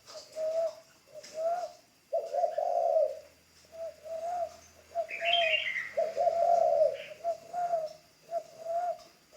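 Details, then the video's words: A spotted dove in decoy training coos steadily: short low notes alternate with longer, throaty rolling coos through the whole stretch. A high chirp from another bird cuts in briefly. "Tiếng chim cu gáy mồi đất"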